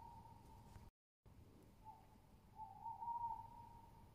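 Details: Tawny owl, 22.07.20: a steady hooting tone, then after a brief dropout a soft note and a louder, tremulous, drawn-out hoot, with low rumble in the background.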